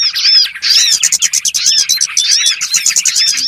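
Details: Short, dense flock chatter from small birds in a trapping lure: shrill rapid chirps and squeaky whistled notes overlapping throughout.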